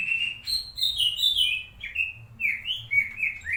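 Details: White-rumped shama (murai batu) master song used for training other birds: a loud, varied run of clear whistled phrases, sliding and dropping notes with quick high flourishes, continuous through the clip, faint low background hum.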